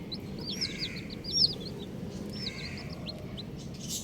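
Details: Colourful baby chicks give loud high arched peeps in two quick bursts of rapid notes separated by a short pause, over soft low background noise.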